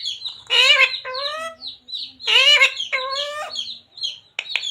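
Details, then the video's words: Parrot talking, its repertoire including "radhe radhe", "jai shree ram", "sita ram" and "mummy papa"; two high, nasal, voice-like phrases about two seconds apart, each a quick run of syllables, with faint small-bird chirps between. "Parrot talking radhe radhe | Parrot talking jai shree ram | Parrot talking sita ram | Mummy Papa"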